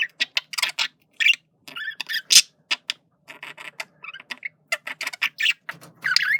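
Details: Indoor pet male budgie flirting, rapid clicking chatter of short dry ticks and brief whistled notes, mixed with scratchy squeaks, delivered in quick irregular runs with tiny pauses.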